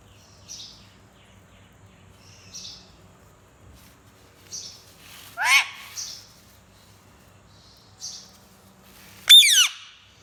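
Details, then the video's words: Pet parrot reportedly talking in Urdu gives soft, sparse high chirps, a harsh falling squawk midway and a sharp rising shriek near the end, in a quiet room. "Naughty Mithu talking in urdu"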